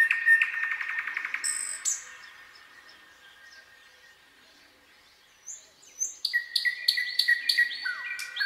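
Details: Common nightingale singing at night in a forest: a rapid rattling trill of repeated notes, a pause of near silence, then loud varied whistled phrases and sharp clicking notes.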